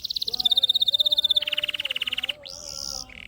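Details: Canary song used as a lure to stir lazy canaries into singing: a fast, even trill of high buzzy notes, then a lower rolling trill, a rising whistled slur and a short buzz, with a faint steady low tone beneath.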